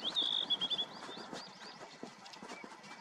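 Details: A single Eurasian wryneck, a rare passage migrant, stopping on Uido island in Korea in late April. It gives a quick series of high, nasal, upslurred notes, about six in under a second, then fades under busy rustling background noise.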